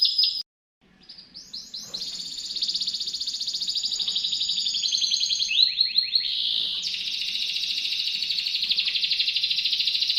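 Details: Master canary song for teaching magpie-robins, sharp-voiced. A brief note and a short silence, then a long high rolling buzzy trill, a burst of quick falling slurs and another extended rapid pulsing trill.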